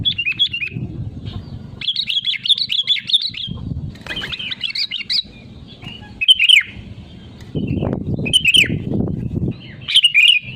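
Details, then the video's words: Sooty-headed bulbul singing actively, the real voice offered as a lure to draw other birds into song: bursts of quick chirpy warbled phrases, then short sharp separate notes, with low rumbling background noise between phrases. "BURUNG KUTILANG GACOR SUARA ASLI PALING AMPUH UNTUK PANCINGAN AGAR IKUT BUNYI GACOR"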